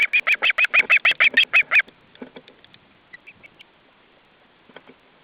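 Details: Alarmed osprey at an Estonian nest in July 2012, the day after the chicks' ringing, reacting to an intruder: a loud rapid burst of about twelve sharp, strident repeated notes, then softer scattered clicks and calls fading away.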